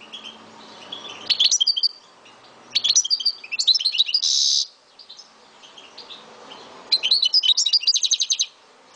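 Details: Singing pet goldfinch of the Algerian type from Souk Ahras: liquid twittering phrases, a harsh buzzy note in the middle, then a fast run of repeated clipped notes at the end.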